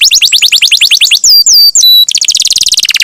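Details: Vigorously singing canary, used to prompt other canaries into song, runs a fast high trill of rising sweeps, then several slurred whistled slides, then another rapid run of repeated high notes.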